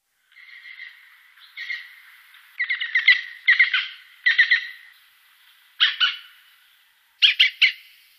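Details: European green woodpecker recorded 2017 in Wittlich: rough, nasal notes, first drawn out, then clipped into groups of two to four harsh calls, slightly lower and raspier than a ringing series.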